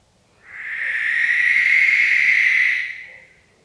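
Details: Barn owl giving a single long, harsh, hissing screech lasting about two and a half seconds, rising gradually and fading away, over faint low background noise.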